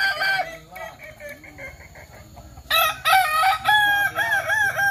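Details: Kukuak Balenggek roosters at a practice crowing contest in Sawah Lunto: stepped, harmonic crows, a softer broken phrase first, then a loud run of rising and falling notes after a pause, other birds overlapping.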